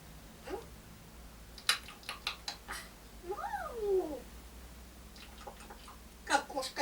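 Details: Pet African grey parrot indoors imitating a cat: a single meow-like note rising then falling over about a second, set among sharp clicks and taps, with quiet room hum behind.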